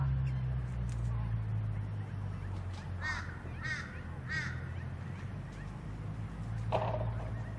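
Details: A wandering whistling duck (Dendrocygna arcuata) on the Sunshine Coast, Queensland, in June 2023 gives three thin, whistled notes, each arching up and down, about half a second apart, over a steady low rumble of wind or engine.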